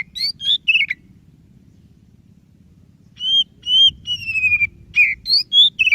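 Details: Song of a white-rumped shama, played to coax a silent bird into singing: a short burst of varied whistles, a pause of about two seconds, then a longer phrase ending in a sliding whistle and quick notes.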